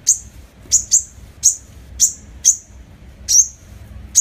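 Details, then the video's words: Sunbird, local name hút mật 5 màu, used as a lure: piercing high ticks, often doubled, scattered irregularly across a few seconds over soft low-frequency hum. "Tiếng hút mật 5 màu mồi, file tiếng hút mật 5 màu- Sunbird sound"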